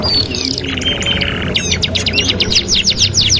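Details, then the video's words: Canary song used for master training: an opening buzzy whistled roll, then a bright series of rapid rising-falling chirps repeated at a steady fast pace. "TERAPI MASTERAN KENARI 2 IN 1 | CANARY SINGING"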